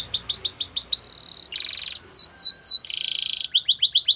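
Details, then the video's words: Canary song for training young singers: a quick series of chips, two buzzy rolls, bright looping downswept whistles, a lower rattling roll and a fast rhythmic chip run. "The BEST Canary Sounds!! Canary Training"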